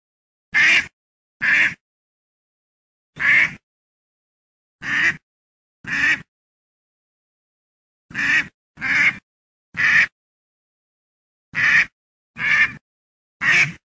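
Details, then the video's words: Duck giving a long series of short, rasping quacks, some in pairs and others spaced one to two seconds apart, with clean silence between calls. "duck sound"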